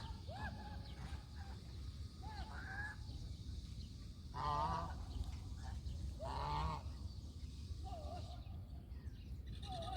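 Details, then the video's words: Domestic country geese giving loud nasal honks, bending upward and downward, some in short bursts and two stronger harsh blasts near the middle, over constant low-pitched background rumble. "The sounds of Country goose call is relaxing."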